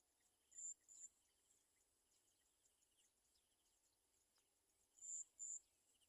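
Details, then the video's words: Olive-backed sunbird, a mother attending fallen baby birds unable to eat; two pairs of piercing high steady notes, one at the start and one near the end, with soft faint twitters in between. "Garden sunbird mother Baby Birds small fall can not eat"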